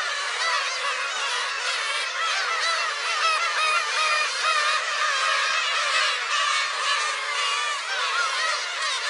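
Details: A dense chorus of black-tailed gulls at a shrine, recorded on Friday 10 July, overlapping nasal mewing and cat-like wailing calls from many birds at once, continuous and loud throughout.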